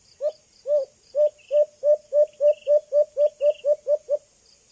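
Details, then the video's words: Young white-eared brown dove (alimokon) giving a very attracting call used to lure others: a run of a dozen short, low, arched hooting notes, about four per second, over a steady high insect-like hiss. "Huni ng Ibong Alimokon | White Eared Brown Dove"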